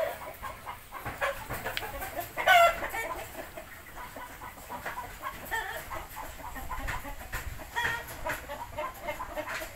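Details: Three-month-old Indio Gigante chicken: scattered hoarse harmonic calls with one loud, sharp note near the middle, over constant background hiss and clatter.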